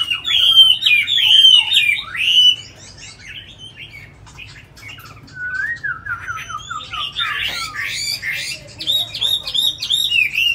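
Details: Caged tamed Chinese hwamei, praised as a very good singer, opens with loud looping whistles, goes quiet, then resumes with a descending run of slurred notes and rapid varied phrases.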